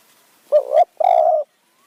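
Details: Decoy spotted dove calling to lure wild doves in high mountain forest, Kanchanaburi, Thailand: one low, hollow two-part coo, a brief wavering note followed after a short gap by a longer, even, held note.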